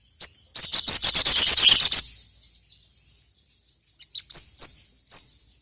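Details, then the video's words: Sogon lure song opens with a fast, loud chattering trill of high notes for about a second and a half, then falls quiet before a few sharp arched chirps. "PANCINGAN BURUNG SOGON"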